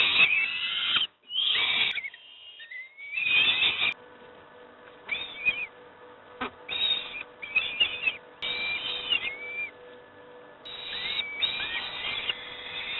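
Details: Begging young peregrine falcons at Moszna, Pruszków, fed breakfast: irregular harsh screeches mixed with thin, upslurred whistled squeals, louder at the start and end, over a faint constant hum.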